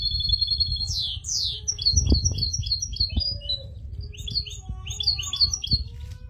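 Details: Caged European goldfinch in an aviary giving a lively high song of quick repeated chirps, short rising sweeps and jingling twitters, with faint low background rumble.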